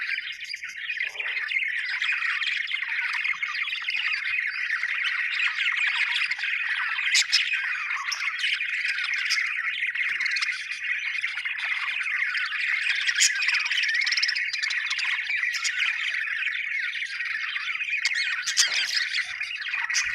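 Budgerigars chatter steadily with high, scratchy chirps, squawks and warbles overlapping without pause.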